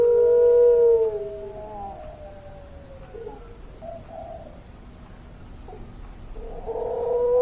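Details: Puter pelung dove: one clear, slightly falling coo at the start, then a stretch of faint, low warbled notes. A louder coo returns near the end.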